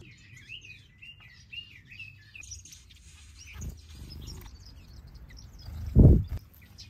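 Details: Finch calls from an outdoor aviary holding mixed finches and softbills: a wavering, warbled whistle rises and falls at the start, then faint high chirps follow, and a loud thump sounds near the end.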